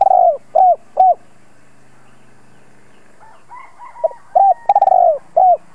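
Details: Spotted dove coos meant to stir wild doves into answering. A phrase ends with two hooting coos, a faint high whistle fills the gap, then a new phrase with a rolled drawn-out coo and a final coo.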